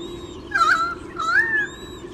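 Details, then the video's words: A white-bellied sea eagle chick in its nest at Olympic Park, Sydney, Australia, 30 July 2016 in the morning, gives two plaintive, slurred calls, the second sliding upward, against a steady low mechanical hum. "SE17 being chirpy"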